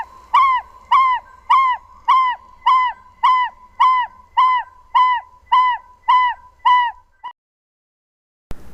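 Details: An African Barred Owlet in southern Africa gives a steady series of about a dozen mid-pitched, arched, slightly burry notes, roughly two per second, before falling silent.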